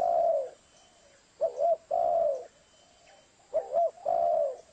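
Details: Spotted dove lure call used for trapping: low mellow cooing in phrases, a short doubled coo followed by a longer drawn-out coo, repeated about every two seconds, with quiet background hiss between phrases.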